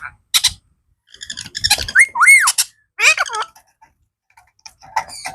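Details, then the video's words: Blue talking parrot saying "Mithu Mithu": short clipped syllables, then two clear arched whistled notes rising and dropping, a run of descending harmonic squawky phrases, and scattered soft clicks and chatter. "talking blue parrot | funny parrot Calling Mithu Mithu | parrot natural sound & talking"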